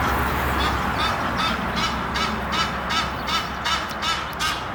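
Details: A courting pair of Egyptian geese perched up a tree near Henley upon Thames, giving a steady series of harsh, rhythmic honks about two or three per second over a constant background rumble.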